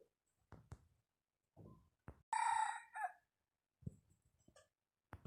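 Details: Decoy rooster giving one full crow, a strong harmonic cry that breaks into a shorter closing note. Sharp knocks and thumping handling noises come before and after it.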